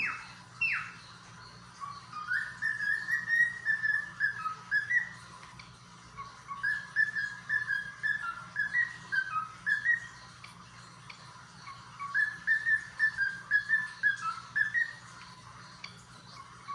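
A cockatiel sings a warbling run of whistled notes, wavering and repeated in phrases.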